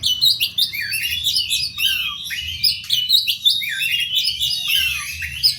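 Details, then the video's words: Fighting song of an Oriental magpie-robin, used to lure other birds: continuous energetic high warbling of rapid chirps, rising and falling whistles and scratchy notes, with several downward slurred phrases. "suara kacer tarung untuk pancingan"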